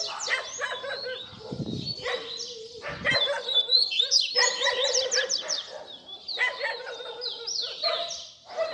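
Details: Baderna-style song of a double-collared seedeater, a tutor recording for young birds: repeated blocks of rough, crackling chatter separated by short pauses, topped with quick high twittering sweeps, roughly two to three bursts per second within phrases.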